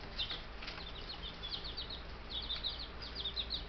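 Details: Ten Buff Brahma chicks, four days after arriving by post, kept in a home bird yard in May; high, short peeps overlap in quick irregular bursts over steady low background hum.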